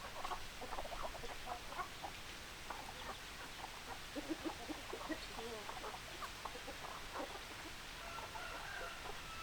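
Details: Flock of hens clucking, with many faint, quick clucks pattering continuously over a steady background hiss and a brief thin, high note near the end.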